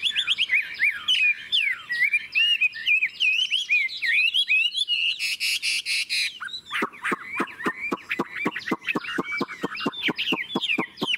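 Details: Long ngũ trường singing from a forest-voiced Chinese hwamei: a tumbling mix of whistles, then a harsh rasping burst midway, followed by a rapid series of sharp clicking notes mixed with high whistles.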